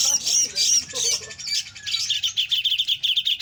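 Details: Grey-cheeked bulbul singing in a busy, rapid chatter of high chirps and thin whistled slurs, the bursts running together with faint low background hum.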